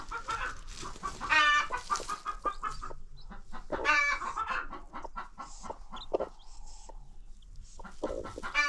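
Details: Free-range chickens on a farm with new baby chicks: loud, harsh squawks and rough clucks in uneven bursts, mixed with scattered short notes and rustling movement.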